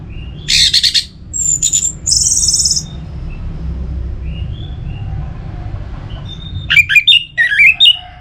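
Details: Orange-headed thrush song meant to stimulate other birds to sing: harsh, scratchy bursts and a high thin whistle, a pause with faint notes, then a quick cluster of sharp, varied twittering phrases over a steady low rumble.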